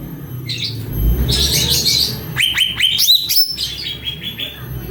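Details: Cucak ranting in song: a buzzy chattering burst, then a quick series of sharp rising whistled notes and a few descending trailing notes, over steady low background noise.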